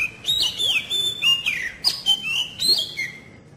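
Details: Magpie-robin lure song, played to get young birds singing early: clear whistled phrases, each sliding or dropping sharply and then holding a steady high note. Four phrases come in quick succession over a faint low hum.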